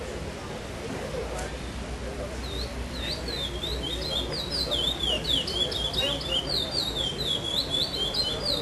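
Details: Caged chestnut-bellied seed finch at a singing tournament in Vinhedo, 05/08/2012, 'Pardo sem Repetição' style, fifth place. Murmuring crowd noise at first, then from about two and a half seconds a fast stream of sweet, swooping whistles to the end.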